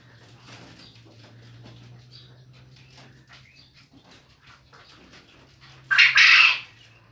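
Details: A male quail, whose calling keeps neighbours awake, gives one abrupt, harsh two-part burst after several seconds of faint rustling and a low steady hum.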